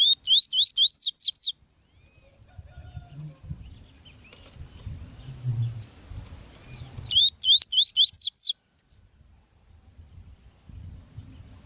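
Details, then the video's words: Female double-collared seedeater calling to stimulate males: two quick bursts of about six sharp rising whistled notes each, separated by several seconds of quieter low background noise and faint chirps. "COLEIRO TUI TUI COM FÊMEA CHAMANDO PARA ENCARTE DE COLEIRO E ESQUENTAR COLEIRO TUI TUI"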